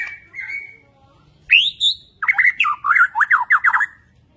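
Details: Energetic Borneo white-rumped shama in bowing display; a soft whistle, a rising sharp note, then a rapid series of about ten loud downslurred chips at even pace.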